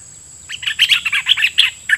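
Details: Decoy red-whiskered bulbul singing toward wild birds. A quick, tumbling burst of bubbly chirped notes lasts about a second and a half, ending in one lower slurred note. A continuous thin whine sits in the background.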